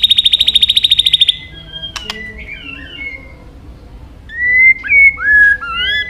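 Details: White-rumped shama training song of many forest voices: a fast buzzy trill of about fifteen identical notes, a sharp click, then soft warbles and loud, swooping whistled phrases.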